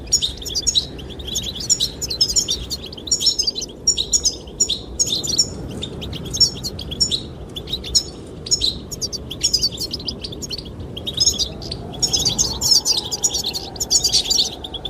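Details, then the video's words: Courtship song of goldfinches aimed at the female: extended sequence of quick, high twitters and sparkling trills in near-continuous bursts, with a steady wind and a faint low hum late on. "the chirping of goldfinches"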